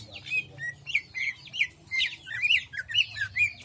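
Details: Greater green leafbird singing in jamstrok style: a string of bright whistled notes, each a quick rising-then-falling slur, repeated about twice a second with short gaps and a faint low hum beneath.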